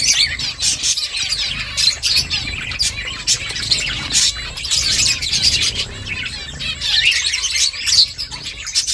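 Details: Several finches chatter while making a nest, giving rapid, thin, high chirps that run almost without pause and rise and fall in loudness.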